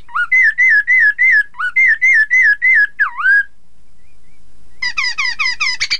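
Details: Chinese hwamei singing, used to make opponents sing along: a long run of evenly spaced ringing whistles in two sets of five, a swooping dip note, a quiet gap, then rapid descending chips.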